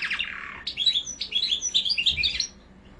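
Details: Mosaic canary song opening with a harsh, noisy downward rush, then a quick sequence of high, bright warbled notes and short whistles lasting about two seconds.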